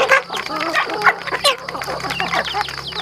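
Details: Home-raised farm chickens calling in a busy flock: loud, nasal clucks and squawks, several sharp bursts early on, then a dense chatter of overlapping notes, with a thin constant whine in the background.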